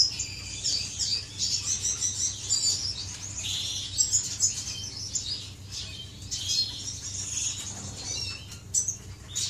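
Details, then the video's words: Aviary finches in courtship, 10 May 2015: busy high-pitched twittering and chirping, repeated short trills and squeaky notes from several birds over a faint constant hum. "غزل بين طيور الفنش داخل مطير"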